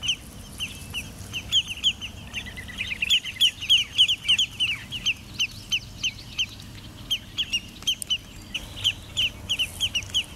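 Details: Territorial dispute between an adult and a juvenile spotted sandpiper at Jamaica Bay Wildlife Refuge, Queens, New York: sharp, high whistled peet notes traded in rapid, uneven runs of about three per second, over a low background rumble.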